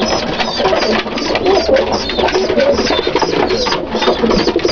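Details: Dalıcı breed pigeons calling together, deep gurgling coos in short swelling phrases one after another, beneath a dense hiss of rustling and a few sharp high chirps.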